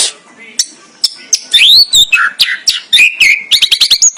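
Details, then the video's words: White-rumped shama song, sharp isolated chips at first, then loud sweeping whistles and a rapid burst of high repeated notes. "kicau murai batu.. fuul isiaaan"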